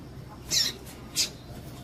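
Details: Female double-collared seedeater giving two brief, very high-pitched piping notes about two-thirds of a second apart, a call used to excite males, over faint low hum.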